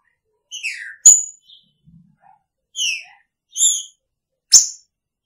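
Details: Green-winged saltator kept in a cage with its female, singing in the Picharro style: a few short, slurred whistled notes sweeping downward, spaced by brief pauses, with two sharp click-like snaps between phrases.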